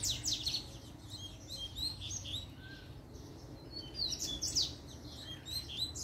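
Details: Double-collared seedeater singing its puxada sequence, challenging rivals to fight: bursts of bright, fast, descending whistled sweeps at the start and again after four seconds, with softer scattered high notes between them over a low background hum.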